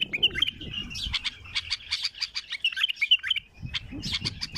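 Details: Bright, squeaky chirps and short twittering notes from a wild bulbul, given in loose clusters with small gaps between them, over a low rumble of background noise.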